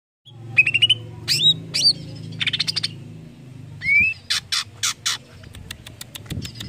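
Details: Greater green leafbird song used to encourage other leafbirds to sing: rising whistles and twisting notes, fast chattered runs and loud buzzy bursts over a low steady hum.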